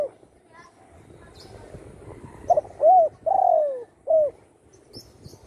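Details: Spotted dove recovering at home from a broken wing caused by shooting: a soft, low cooing phrase begins after a quiet stretch, with a brief pickup, a round coo, a long downslurred coo and a short closing coo.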